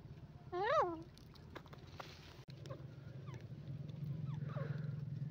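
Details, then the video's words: A single loud, harsh Grey francolin note with rich overtones, rising then falling. Scattered faint clicks and chirps follow over a constant low droning background. "Dakhni Teetar ki Awaz Gray Francoline voice"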